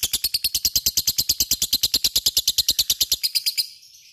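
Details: Lovebird ngekek used as a training lure: a quick rattling trill of high raspy pulses, roughly eight per second, running steadily for three and a half seconds before stopping abruptly into quiet.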